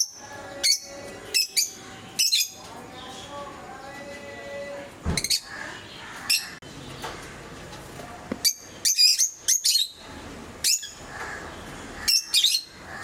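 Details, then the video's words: Pet lovebirds of various colour mutations give shrill, piercing chirps in short bursts every second or two, some doubled or clustered, over a faint murmur of background chatter. "Sounds of love birds"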